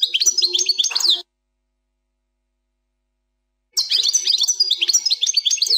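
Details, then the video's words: Goldfinch performing 'plak mine' style song without errors: bright, rapid twittering notes with tinkling trills, one phrase ending and another beginning after about two and a half seconds of silence. "canto del jilguros plak mine,غناء حسون بلاك مين بدون غلاطات"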